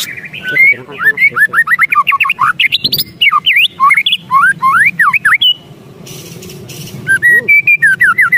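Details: Agitated White-rumped shama in ketrekan mode: loud, fast, varied whistled notes swooping up and down in continuous runs, a brief pause, then more descending whistles.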